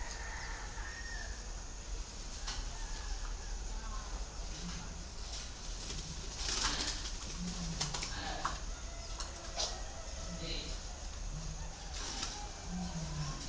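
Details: Low, soft cooing from a Vietnamese 'cu thổ đồng' spotted dove, brief notes repeated every two to three seconds, with knocks, clicks and a steady hiss in the background.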